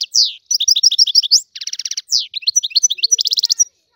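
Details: Algerian goldfinch, a wild European goldfinch, pours out a lively high song: a slurred opening note, a series of twisting chirps, a rapid buzzy trill, then more bright notes and another trill.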